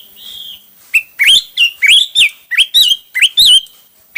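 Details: Hwamei singing varied song: a drawn-out whistle, then a lively sequence of loud, looping whistled notes that rise and fall, repeated quickly with short gaps.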